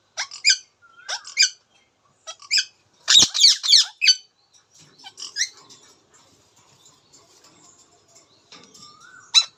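An Indian ringneck parakeet gives bursts of harsh, high, raspy chatter, several short squawks a second, with a couple of brief rising whistles between them.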